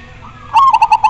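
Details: Perkutut, the zebra dove, singing one short phrase at close range: a smooth opening coo followed by quick, evenly spaced bubbling pulses.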